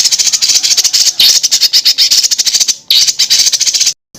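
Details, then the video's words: Songbird tutor recording full of varied fill-in phrases: a dense, harsh, rattling high chatter that runs almost continuously, broken by brief gaps, with sharp squawk-like notes. "BURUNG FULL ISIAN TEMBAKAN"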